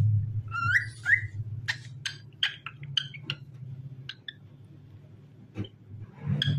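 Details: A happy cockatiel (Nymphicus hollandicus) sings a chirpy string of upslurred whistles and short sharp notes over a low indoor hum.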